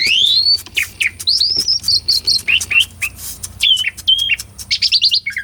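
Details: Asian pied starling song recorded live on a Sony A6400 as a lure for silent birds: rising whistles and chatter, dense harsh notes, then clipped whistles and a quick pulsed flourish.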